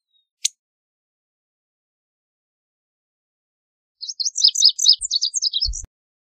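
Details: Lazuli bunting song: after a long silence and one sharp click, a quick jumbled series of high buzzy chirps and warbled notes lasts under two seconds, with a faint low thump near the end.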